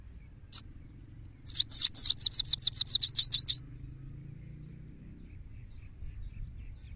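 A goldfinch gives one thin high note, then a quick two-second burst of bright, tinkling twitters, about a dozen notes, over a faint low hum.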